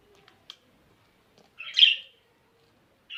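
A budgerigar gives a brief, raspy chirp in an otherwise quiet moment.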